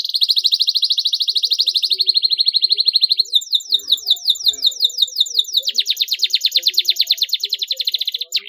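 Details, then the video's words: Canary singing used to coax silent, reluctant canaries into song: a long fast pulsing trill, a shift to rapid descending notes, then another extended rolling trill. "CUITAN KENARI PALING JITU UNTUK TERAPI KENARI DIAM MALAS BUNYI"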